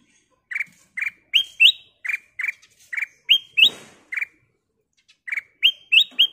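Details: Ruby-throated bulbul in full, lively song used to encourage other birds to sing: a steady string of short whistled notes, alternately plain and upward-flicking, roughly three per second, broken by one short pause.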